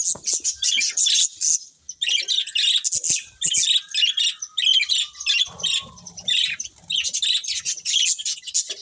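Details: A group of budgies chirps in quick bursts of bright, buzzy warbling, broken by short pauses, with a brief thin whistle sliding downward midway and a soft low hum.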